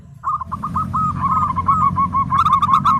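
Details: Local zebra dove singing actively: a rapid string of soft, rolling mid-pitched coo notes, slightly uneven, with higher clicking sounds toward the end.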